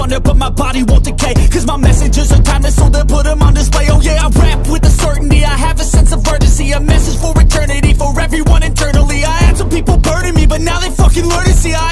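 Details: Loud hip hop music with a heavy bass beat and rapped vocals; no animal sound is heard.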